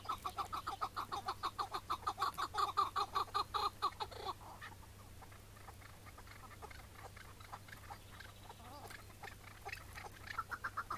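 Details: Wild Iraqi-type chukar partridge, morning in May 2017 during mating season, later caught and released: about four seconds of loud, evenly spaced clucking notes, then near silence with faint scattered calls and a final short burst, over low hum.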